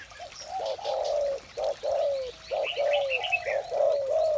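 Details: Morning coos of a spotted dove: low, hollow notes run together in steady phrases, some ending in a slight downward slur, with faint twittering of small birds above.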